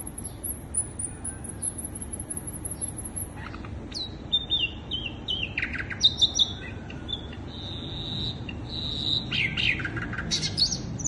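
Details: Sikatan londo flycatcher song played as a bird lure: a very high thin trill opens, then scattered whistles, slurred notes and brief buzzy chirps, fairly soft over background hiss.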